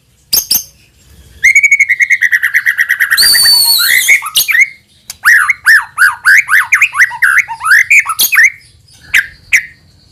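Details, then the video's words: White-rumped shama lure song used to provoke singing in other shamas: a steady stuttering series of evenly spaced whistled notes, a brief harsh buzz, then a lively run of bouncing warbled whistles and sparse chips. "AUTO NYAUT MURAIBATU APAPUN AKAN TERPANCING UNTUK BUNYI GACOR JIKA MENDENGARKAN SUARA PANCINGAN INI"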